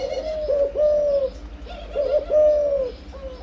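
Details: Breeding spotted dove cooing: low, hollow coos in a phrase of two short notes followed by a longer drawn-out coo, repeated twice, with a steady low hum behind.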